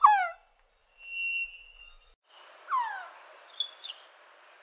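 Resplendent quetzal giving two sharp, whining calls that drop steeply in pitch, with a thin, steady whistle between them. Hiss and faint high chirps sound behind.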